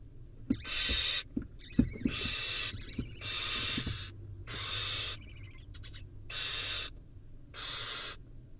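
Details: Barn owl nestlings in a tug-of-war give harsh, noisy hissing screeches about half a second long, repeated roughly every second and a half, with soft clicks and shuffling between calls.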